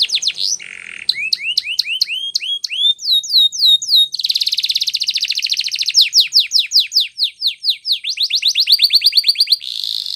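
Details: Varied canary training song with clipped whistles, looping upward-curving notes, a fast rattling trill, slower sweeping phrases, and a final buzzy roll, sung continuously and loudly.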